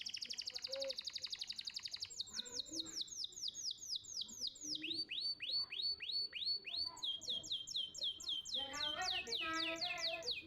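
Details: Young canary tutoring song for competition training, high varied song: a fast trill, then long series of repeated downslurred whistled notes shifting pitch, ending in rapid rising and falling phrases.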